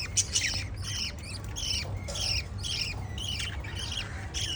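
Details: Chirping lovebirds giving shrill, scratchy squawks in quick runs about every half second, steady chatter from more than one bird with a low background rumble.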